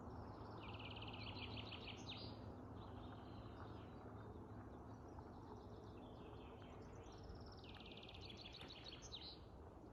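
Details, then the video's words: Birds singing in larch trees: high, rapid, buzzy trilled phrases of a few seconds each, repeated with short gaps, set against a steady loud low rumble that runs throughout. "Пение птиц в лиственницах"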